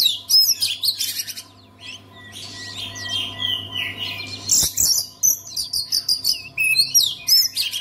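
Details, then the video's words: Oriental magpie-robin (kacer) song played to make a silent kacer start singing; loud, dense bursts of high, sharp chirps and trills, a quieter stretch of thin whistles midway, then rapid burst-chatter again over a steady low electrical hum. "KACER ANDA MACET BISU? SEKALI DENGAR KICAUAN KACER INI PASTI LANGSUNG GACOR"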